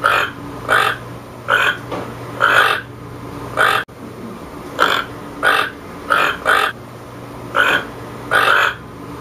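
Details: Toucan's raspy croaks repeated around eleven times, singly and in pairs, with a brief gap partway through and a low hum behind.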